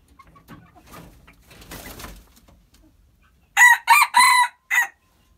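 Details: Crow of a hybrid red junglefowl, four sharp harmonic bursts with a longer third note and a clipped final note, preceded by quiet scuffling and low background noise.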